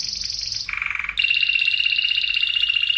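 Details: Spanish Timbrado canary singing for the training of other canaries: a high rapid roll, a lower buzzy trill, then a steady rolling trill in the middle register.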